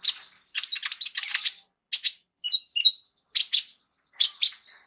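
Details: Full varied song of a sunbird, locally called 'kolibri ninja' and used as a singing tutor for other songbirds: harsh chattering buzzy bursts mixed with brief clear whistles, delivered in quick irregular phrases with short pauses.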